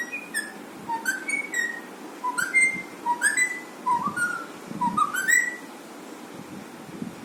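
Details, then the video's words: Pet Alexandrine parrot making funny sounds: a run of short clear whistled notes, some rising and some falling, in quick bursts over about six seconds, with soft indoor background hiss. "alexandrine parrot funny sounds"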